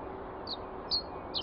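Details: Common reed bunting singing, recorded with a Nikon D300s DSLR camera: three short, high, sharp notes spaced about half a second apart, the last a quick double note, over a steady low background hiss.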